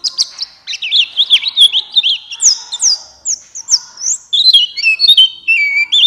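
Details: White-eye of the buxtoni kind giving a stimulating song for lazy singers. Rapid, high, sweet twitters and zigzag notes run in bursts with short breaks, and a faint lower tone lies underneath.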